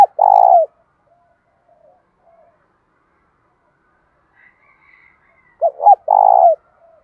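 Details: Spotted dove in the local thổ voice style, cooing in a fighting challenge and calling mode, loud and clear: two full low, mellow coo phrases, one at the start and one near the end, with short quiet gaps and faint higher notes between.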